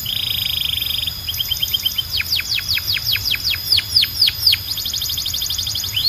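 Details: Belgian canary singing to call other canaries into song: a fast buzzy high trill, then short chirp series and a run of loud, sharply descending whistled sweeps, ending in quick repeated notes.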